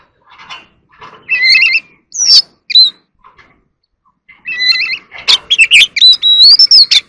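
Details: Oriental magpie-robin in competitive song: soft scratchy notes building into stacked whistled phrases, then a dense run of loud chirps and a long rising whistle.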